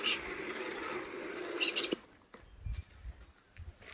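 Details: New Zealand falcon call played from a bird-sound button device: a harsh, scratchy screech lasting nearly two seconds, followed by faint thumps and room noise.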